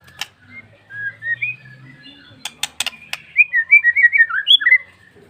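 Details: Wild bar-winged prinia singing: a run of quick, thin whistled notes that rise and fall, speeding into a rapid warbling series near the end, with a few sharp clicks in between.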